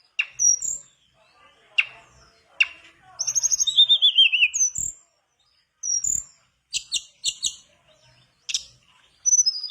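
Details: Mangrove blue flycatcher in vigorous song, used as a lure to get a silent bird singing: high, thin whistles, with one long descending trill, scattered short chips and sharp clicks, then brief pauses between phrases.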